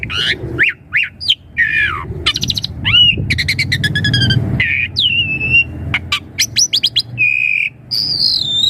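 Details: Asian pied starling song used to lure young birds into answering: a varied medley of whistled slurs, rising and falling notes, buzzy rattling bursts and harsh squawks, over a low background rumble.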